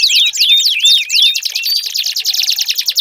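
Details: Canary song recorded as a lure to prompt a silent canary to sing: bright high whistled notes sweeping down in quick repeated swoops, then a rapid buzzy rolling trill, steady and loud throughout.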